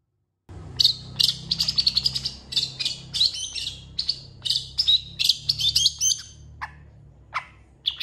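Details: Long-tailed shrike (cendet) in energetic full song, used as a tutor recording for training contest birds: dense bursts of sharp chirps and squeaky whistled notes in quick rapid series, some short gaps, over a low steady hum.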